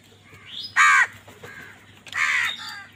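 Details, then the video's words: Two strident, raspy caws about a second and a half apart come from crows fighting for food, with weaker rising squeaky notes and a quieter caw between them. "কাকের ডাক Crow Sound Crow ki Awaz Loudly | Crow bird Fight for Food"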